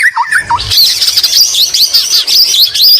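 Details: White-rumped shama singing continuously, its song filled with imitations of the greater green leafbird; two low whistled notes open, then a dense, fast stream of high, sweeping twittery phrases.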